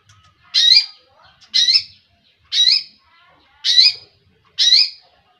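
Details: Five rasping, scratchy squawks from a long-tailed shrike, spaced roughly one second apart, each loud burst a harsh high-pitched grating note with quiet gaps between.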